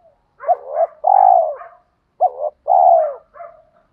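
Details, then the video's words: Spotted dove cooing as a provoking call for wild doves: two phrases, each a brief clipped note followed by a long drawn low coo, trailing softer notes, about two seconds apart. "chim cu gáy thúc kích bổi rất xiêng gáy, tiếng gáy gọi dúp bổi nghe xong có hứng gáy theo liền"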